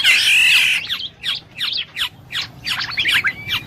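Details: Black-naped oriole giving a loud, harsh nasal squawk lasting nearly a second, followed by a quick irregular series of short downward-sweeping chirps, about a dozen in under three seconds.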